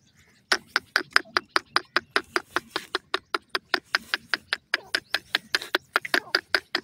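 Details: Francolins (Dakhni or Iranian teetar pair) giving a fast, steady series of dry, rattling notes, about two and a half per second, continuing for several seconds over low background noise.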